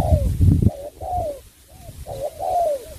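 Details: Spotted dove from Cà Mau cooing: low thumping noise fills the opening, then several soft, slightly falling coo notes follow in short phrases.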